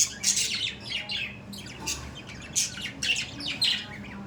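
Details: Budgies in animated chatter, mixing scratchy squawks with quick, falling chirps in uneven bursts throughout.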